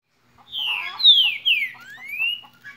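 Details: Green-winged saltator singing the "Cadê meu boi" song style: three loud, clear whistled notes, each sliding downward, then a long rising whistle, over faint background noise.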